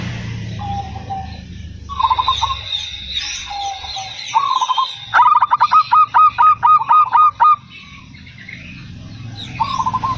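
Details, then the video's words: Local zebra dove singing in reply: short low rolling trills, then a fast even burst of about ten loud hooked notes, followed by more soft trills against a low background hum. "BURUNG PERKUTUT 100 PERSEN LANGSUNG NYAUT"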